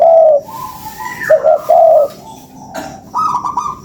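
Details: Spotted dove calling for use as a lure, with a strong low coo first, then a quick double coo and a longer mellow note, followed by quieter higher trailing tones.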